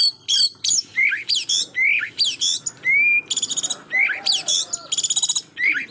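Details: White-rumped shama singing to provoke an opponent: rising whistled notes alternating with dense buzzy rattles and rapid stuttering trills.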